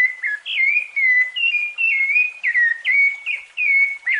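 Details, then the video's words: Rufous-bellied thrush in fluted song, a recording for tutoring young birds: continuous chain of clear whistled phrases, many opening with a sharp drop and settling on a held flute-like note, delivered without pause. "encarte Sabiá Laranjeira Canto Flauteado"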